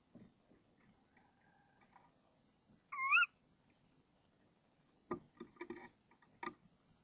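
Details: One clear, wavering call from a female tawny owl in a nest box at dawn on 26 March 2014, when the male brings a frog. Faint soft notes come before it, and clicks and scuffles follow.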